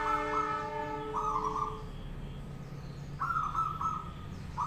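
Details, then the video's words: Local zebra dove singing in a cage to provoke others to answer: short trilled cooing phrases near one pitch, in bursts of about a second, partly overlapped by a steady horn-like tone at the start over a low background rumble. "perkutut lokal gacor manggung 10 menit bikin nyaut lainya"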